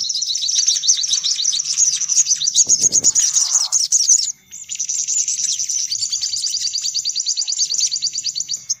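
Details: Sunbird lure sound: busy, high, fast-pulsed twittering trills, a short break around halfway, then an even, steady trill to the end, with a low muffled bump early on.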